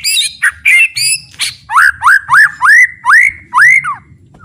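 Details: White-rumped shama, a full, varied training recording: harsh high notes open into a series of six rising-then-falling slurred whistles in quick succession, over quiet low background hum.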